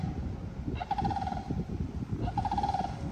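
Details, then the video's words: A sandhill crane by a pond, said to be very common in Florida, gives two loud, rolling, rattling trumpet calls about a second and a half apart, over heavy low wind rumble; the listener finds it obnoxious. "that noise is coming from what's called a sandhill crane."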